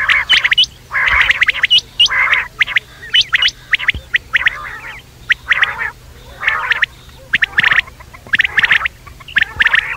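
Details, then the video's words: Quail calling through the night: a long series of harsh chattering bursts with sharp high notes, repeated roughly once a second, steady hum in the background. "batair rat wali awaz"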